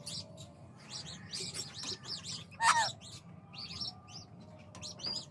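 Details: A talking Indian ringneck (rose-ringed parakeet, Psittacula krameri) gives a single loud, wavering voice-like utterance mimicking speech, among steady high, thin chirps from other small birds throughout.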